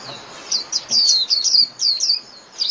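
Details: White-eye singing to call its flock, a lively run of high, sweet, descending whistled notes strung together in quick succession, slightly uneven in rhythm.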